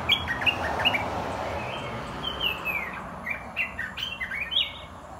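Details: Red-whiskered bulbul kept in a cage, singing in a mix of the 'dok taeng' and 'ta daeng' styles: quick bright chirps followed by a run of short whistled, slurred notes, with steady low background hum.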